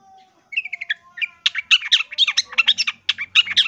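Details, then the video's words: Loud long-tailed shrike song used as tutor material for training birds: a brief run of clipped chips, then a fast jumble of scratchy, squeaky notes and short whistled phrases packed closely together. "MASTERAN CENDET GACOR SUARA LANTANG"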